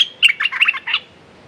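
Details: Red-whiskered bulbul decoy calling to lure a territorial wild bird that has defeated many decoys; one loud, rapid phrase of bright, liquid chirps and warbles lasting under a second, then quiet.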